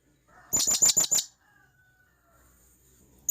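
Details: Wild blue-crowned hanging parrot calling its companions with a run of five shrill high chips, followed by faint background rustling and a soft distant tone.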